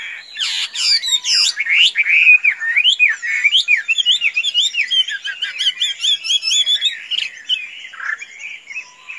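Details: A tame, free-roaming Chinese hwamei sings a long varied series of clear whistled phrases with a few harsh squawks near the start. The song is steady and loud, ending in quicker, choppier notes.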